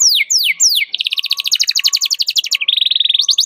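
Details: A canary sings to provoke a rival, a recording used to teach young canaries. Three steep descending whistles lead into a long, rapid, bubbling trill at high pitch, with a faint low hum beneath.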